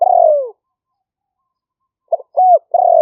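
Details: Spotted dove recorded on a smartphone in rainy-season rice fields near Nong Khu Phai, Roi Et, Thailand, as a lahw fueang trapping lure. A long falling purred coo ends, then a new stuttered phrase starts.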